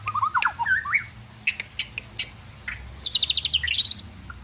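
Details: White-rumped shama singing a varied phrase: low warbled and rising slurred whistles, a few sharp high notes, then a rapid run of high whistled notes followed by a brief twitter.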